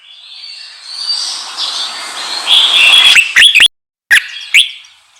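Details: Red-whiskered bulbul song used to provoke wild birds: a rising, thin high hiss building over three seconds, then a few sharp clear chirps with brief breaks.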